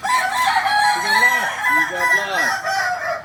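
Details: Kukuak Balenggek, the singing chicken native to Solok, with a run of arching, stepped crowing syllables rising and falling, several birds calling at once.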